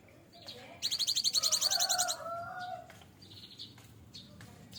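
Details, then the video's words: Caged, hand-reared cinereous tit approaching adulthood, singing its fill-in song: one long, very rapid high trill of about a second, over a lower warbled phrase, then fainter chirps against steady background noise. "burung Gelatik batu full isian"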